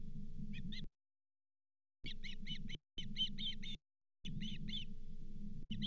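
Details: Osprey at the Charlo nest, 31 July 2023, during delivery of the day's fifth fish, a lake whitefish. Clusters of high, clipped chirps broken by abrupt silent gaps, over a rumbling low hum.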